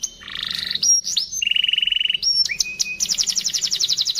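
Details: Canary singing a training song with luxurious phrasing: a buzzy low trill, high whistled slurs, an even rapid trill, a rising whistle into a flat note, then a fast run of repeated high sweeps.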